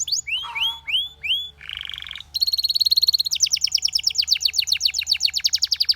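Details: Belgian canary song opening with rising whistled slurs, then a buzzy rattling tour and a long very fast high trill that continues steadily to the end.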